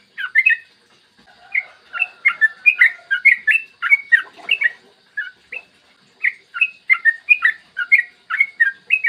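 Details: Yellow-vented bulbul in long, rapid morning song, used to spur other bulbuls to sing: a quiet start, then a steady flow of bubbly, slurred whistles, some softer lower notes mixed in, continuing to the end.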